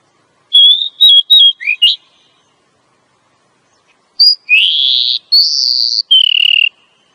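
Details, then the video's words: Female oriental magpie-robin voice used to trigger a male's singing and breeding drive; a quick series of short wavering whistles ending in an upward note, then after a pause long sustained whistles, one rising, others flat and falling. "suara Kacer betina.untuk memancing Kacer jantan mau bunyi"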